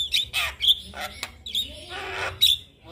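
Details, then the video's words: A male Javan myna sings for other mynas to copy: loud harsh squawks and rasps broken by thin high whistled notes and a single sharp click. "JAlak Kebo Jantan Gacor MASsteran Semua Burung Jalak Akan Niru Suaranya"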